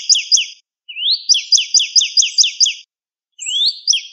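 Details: Northern cardinal song from a recording for training cage birds: bright downslurred whistled notes repeated rapidly in bursts, with a rising slurred whistle leading into each series and short silent gaps between phrases.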